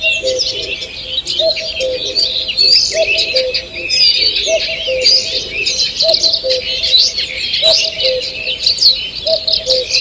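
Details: A steady morning bird chorus in a forest, 2 June 2023. High chirps and fast warbling trills are nearly continuous, and a low, repeated coo sounds every one to two seconds.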